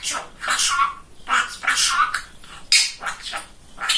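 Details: Talkative male pet budgerigar chattering in imitated speech. Scratchy, breathy word-like syllables come in clusters with sharp high clicks and short gaps, indoors.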